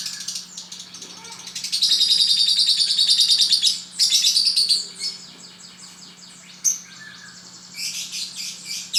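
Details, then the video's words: Pet lovebird in song, a dense high chattering warble with rapid buzzy trills, sustained loudly for two seconds, then broken into scattered sharp chirps and short bursts. "Love bird"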